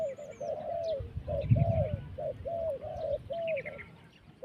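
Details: Steady series of mid-pitched dove coos, each note rising slightly then levelling off, spaced under a second apart, with a burst of low rumbling noise and faint high chirps from other birds.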